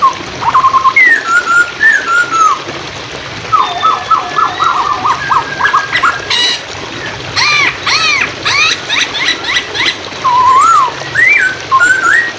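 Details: Hwamei masteran song for training songbirds, accompanied by running water: short whistled phrases, a quick row of clipped notes, then loud rising-and-falling whistles between bursts of splashing.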